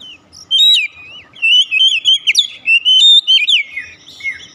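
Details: Oriental magpie-robin (kacer) song used as a lure to bring a silent bird into full song: rich whistled phrases with rapid slurred trills and sharp upward notes, delivered in bursts separated by short pauses.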